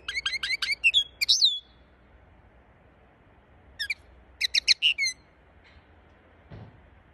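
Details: Singing linnet: a fast run of repeated sharp chirps ending in a rising whistled note, a pause, then another rapid twittering phrase with a slurred whistle, and a faint low thump near the end.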